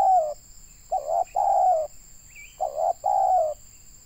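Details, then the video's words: Spotted dove, a local tekukur decoy used for trapping in Indonesia, cooing two full phrases of short hoots and a long falling coo, with a brief thin rising chirp from another bird between them. "Mikat burung tekukur suara boleh lah"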